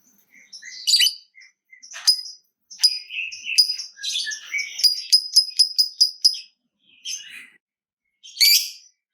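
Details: Lovebird of the fighter type, used as a lure to get other lovebirds singing. Scattered shrill chirps lead into a fast run of sharp, evenly spaced piercing notes, then a short pause and a final burst of shrill chatter.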